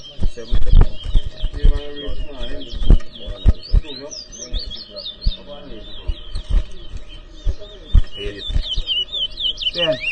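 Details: Competing towa towa birds at an inter-zone whistling contest in New Amsterdam, Guyana: fast, busy high chattering song with buzzy trills and short rising whistles, mixed with people counting aloud, music and loud low bumps.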